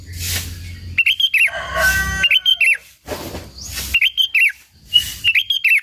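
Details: Lively sooty-headed bulbul song used to provoke and lure local bulbuls: quick rising-and-falling chirped notes in short runs, broken up by loud hissing noise bursts.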